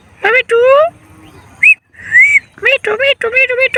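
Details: Talking male parrot: clipped speech-like syllables and a long falling word, then two short rising whistles, followed by a quick string of chattering voiced syllables.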